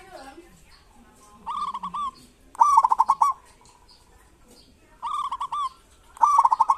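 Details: Zebra doves of local stock giving kerot and bekur song to coax reluctant doves into singing: paired phrases of a brief coo followed by a loud, fast rolling trill, repeated twice, with faint background calls.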